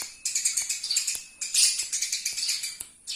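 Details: Eurasian tree sparrow chatter from a local training master: two tight runs of sharp, high chirps, the second louder, with a short gap between them.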